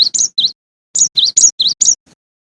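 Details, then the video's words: Cinereous tit singing clear, high two-pitched whistles, quick notes swinging up and down in two short phrases of three and five notes, with no other sounds. "Suara Asli Burung Gelatik Batu"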